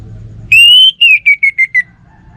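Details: One loud pure whistled phrase from a kept orange-headed thrush: a long slightly rising note, then a falling string of about six short pulsing notes, ending cleanly.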